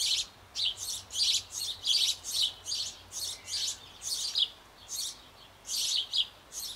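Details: Sparrow family at a nest box on an old apple tree in Bavaria, with the young close to leaving and the parents feeding them. Insistent, harsh, noisy chirps follow rapidly, about twelve in under seven seconds, some paired.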